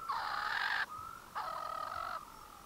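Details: Swainson's spurfowl calling in early morning sun near Satara Rest Camp, Kruger National Park, South Africa, gives two loud, harsh, grating crowing notes, each under a second, with a faint steady tone in the gaps.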